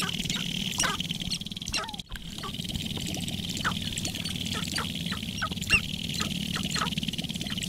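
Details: Dancing sharp-tailed grouse at Wainwright, Alberta, 2015, give brief, clipped, falling notes every half second or so, steadily through the recording, over a constant high hiss and a low rumble of wind.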